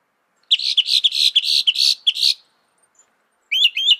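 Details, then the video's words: Northern mockingbird (Mimus polyglottos) sings a fast run of about a dozen harsh, chattering high notes, pauses, then starts a new rising, twangy phrase. "Masteran Burung Kicau Mockingbird Gacor - Mockingbird Bird Sound"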